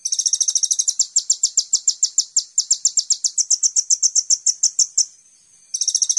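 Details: Sunbird known as kolibri ninja in a songbird training master recording: a long, very high trill of rapid even notes that shifts slightly in pitch, stops for under a second, then starts again.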